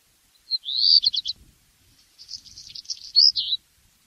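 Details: Black redstart song: a high stuttering phrase of rapid clipped notes, a one-second pause, then a scratchy crackling section ending in a brief whistled flourish. No other sounds.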